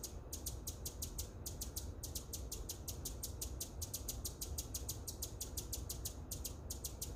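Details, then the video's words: Hummingbird giving rapid, dry, high-pitched chips in long even runs of roughly five per second, broken by a couple of brief gaps, with low background hum beneath. "Hummingbird chirping sound"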